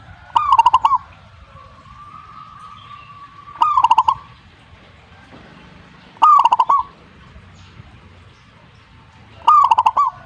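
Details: Zebra dove song repeated four times roughly every three seconds, each phrase a brisk run of six or so clipped, hollow coos; a faint steady tone sounds between the first two phrases.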